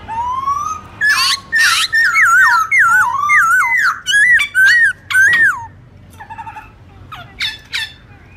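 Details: Morning forest-style song of a black-throated laughingthrush, meant for tutoring young birds: a rising whistle opens a fast chain of looping, zigzag fluty notes, ending in sparse, quieter clipped chirps.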